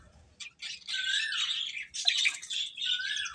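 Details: Feeding chicken chicks give a loud, continuous, squawky chirping mass, shrill and harsh. A brief gap comes early, then steady high cheeping runs on.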